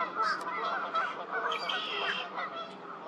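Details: Spring arrival of fish crows at Twin Lakes on April 8th, 2023: many birds calling at once, a thick wash of overlapping nasal notes with several louder, brighter calls rising above the chorus.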